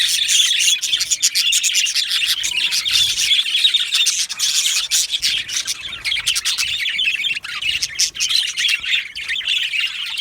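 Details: Colony of yellow male budgies chirping together in an aviary: a steady flood of bright warbles shot through with rapid dry ticking and clicking notes.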